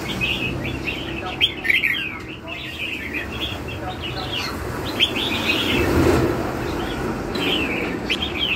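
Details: Red-whiskered bulbul singing in the "lân hầu bò" style: quick rising and falling chirped phrases in bursts, a brief pause, then more chirps over steady low background noise.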